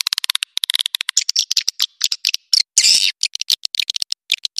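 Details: Edible-nest swiftlet call played to make the birds roost: quick trains of high clicks and brief buzzy chirps, with one longer rasping burst near the middle.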